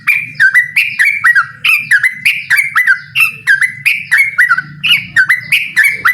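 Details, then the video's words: Yellow-vented bulbul (trucukan) singing in ropel style to challenge a rival: a fast, steady run of bubbly whistled notes, each dipping then rising, repeated about three times a second with a low background hum. "suara burung trucukan gacor mengajak lawan adu ropel"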